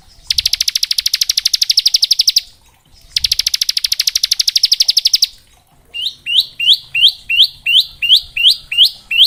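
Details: A bar-winged prinia's 'ngebren' training song for juvenile birds: two long, dense buzzy trills of rapid high ticks, then a run of distinct rising whistled notes repeated about once per half second.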